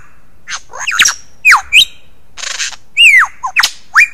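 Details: Lyrebird imitating other sounds in a lively run of squawking, whistled notes that sweep up and down, broken by a short hissing rasp, with loud strident phrases repeated about every half second.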